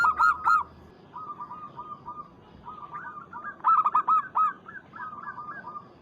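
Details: A local zebra dove challenges a rival with loud opening coos, then runs of fast, evenly spaced hooked notes, rising in intensity around the middle before continuing more softly.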